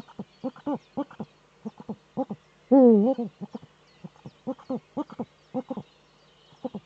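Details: Eurasian eagle-owl male in courtship display inside its nesting niche, nest webcam, northern Rhineland-Palatinate, Germany, 4 May 2013: steady runs of brief hollow hoots on both sides of one loud, wavering, downward-bending call.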